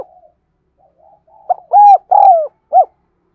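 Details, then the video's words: Lure spotted dove calling in the thúc gù gáy gọi style: faint low murmuring, then a burst of four rounded coos, the third drawn out and sliding downward, with a clean, quiet background. "Tiếng Chim Cu Gáy Thúc Gù Gáy Gọi Mới Nhất || Chim Cu Gáy Mồi"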